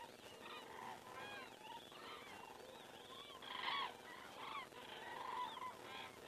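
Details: Flock of common cranes passing overhead at 19:10 on 19 September 2017 in Estonia, crane camera recording: dense chorus of rolling, slightly rising trumpet calls, several birds calling at once, one louder call near the middle.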